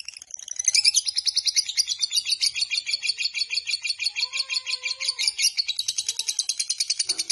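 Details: Lovebird named Biola in a long ngekek, singing day and night: continuous high rasping chatter with steady pulsing, about three pulses a second, and a faint lower whistle near the middle.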